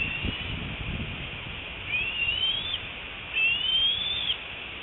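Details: Bald eagle fledgling returning home to the nest, squeeing with excitement, late afternoon 25 February 2018, with adults perched nearby; two drawn-out, high, rising whistles about one and a half seconds apart, faint rustling beforehand.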